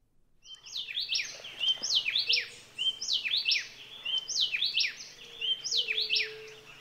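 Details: Happy wren (Pheugopedius felix) on the Huatulco River edge, Sierra Sur of Oaxaca, Mexico, at dawn on a cool morning. Within the morning bird chorus it sings a rich, whistled phrase of quick rising and falling notes, repeated about once a second, over a faint hum.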